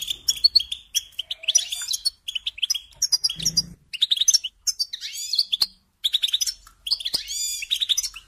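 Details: European goldfinch song used for training young songbirds to sing: rapid twittering, tinkling and buzzy phrases in bursts, with short pauses and a brief low thump near the middle.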